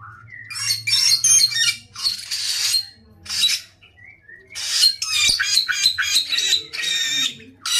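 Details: A lively samyong pours out rough, screechy notes in clustered bursts with occasional short whistled slurs and brief silences, over a steady low hum.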